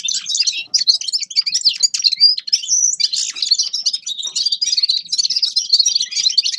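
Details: Continuous high twittering song of a Grey-crowned goldfinch: rapid chirps and short trills, with a brief clearer whistled phrase near the middle and a quiet background.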